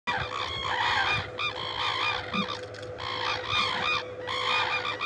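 Red-crowned cranes give loud, harsh trumpeting calls in overlapping bursts, with brief pauses about every second, over a steady low electrical hum.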